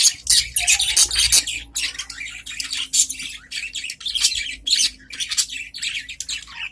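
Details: Adult budgerigars chattering in reply to one another inside their cage, producing sweet, fast sequences of sharp chirps and scratchy warbled notes in rhythmic bursts.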